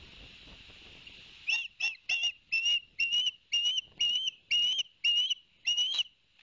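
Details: Osprey at the Barnegat Light nest cam on 11 September 2021, the male having brought two fish for the young: after a quiet second, about ten evenly repeated rising whistles, two per second, loud and piercing.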